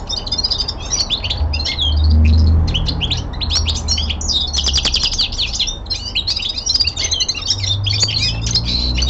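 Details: Indoor young male common linnet giving a winter descant, a dense twittering medley of quick slurred notes and dry rattles, broken by short pauses, with a brief low humming sound near the start.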